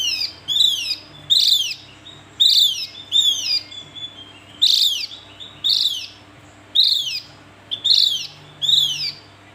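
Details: Steady series of about a dozen grating, downward-slurred notes from a Javan grey-throated white-eye, delivered roughly once a second, sometimes doubled, against a quiet humming background.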